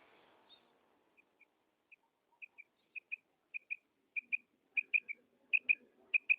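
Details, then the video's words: Female quail giving its double call: short sharp clipped notes, mostly in pairs, starting faint and single, then growing steadily louder and more regular, about every half second. Quiet background. "Female Quail Sound / مادہ بٹیر کی ڈبل کرک / Urg`Ochi Bedana Ovozi"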